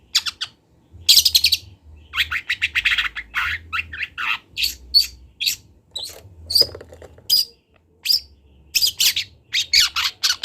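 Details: Young long-tailed shrike of the local Kendal type, learning to sing, recorded as a training master: bursts of harsh, scratchy squawks and chattering notes with short twisting whistles, grouped in uneven phrases separated by brief pauses.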